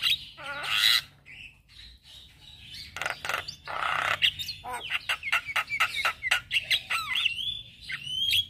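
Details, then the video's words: Male black-winged starling in morning song, a lure and tutor recording for starlings: rasping harsh notes, then a quick run of sharp chips and thin whistled slurs. "Ocehan jalak Kebo Jantan Buat Pancingan Dan Masteran Burung Jalak Dipagi Hari"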